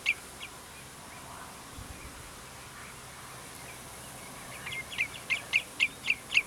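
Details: A Common Redshank at Prunjepolder, Zeeland, Netherlands, on 15 June 2010, gives clear, high piping notes: one at the start, then a quick run of about seven ringing calls every quarter second, over a soft background hiss.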